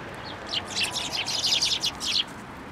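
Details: Sparrows coming to a bench to be fed at a shrine in November: a burst of rapid, overlapping high chirps and twitters lasting about two seconds, over steady low background noise.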